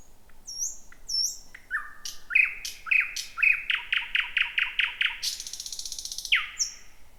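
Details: Night song of a thrush nightingale, the first of 2026, from thick bushes: high thin whistles, then a series of loud chock notes repeated rapidly about twice a second, a harsh buzzy rattle and a closing falling note.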